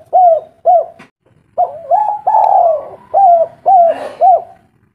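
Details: Spotted dove of local stock, loud and deep, serving as a lure so other doves respond: two short coos, a pause, then a double coo, a long falling note and three quick arched coos.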